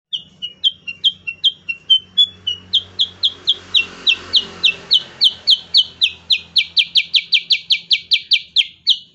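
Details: Cucak kurincang, a bulbul relative, singing in a fast 'nembak' style for training caged songbirds: a steady train of sharp, high, downslurred chips, about two per second, growing louder and tighter toward the end over faint low hum.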